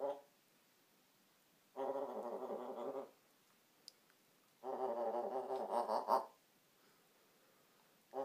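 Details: African grey parrot indoors making a snoring noise: two long raspy, harmonic-rich bursts, each over a second, separated by quiet pauses, with a third starting at the end.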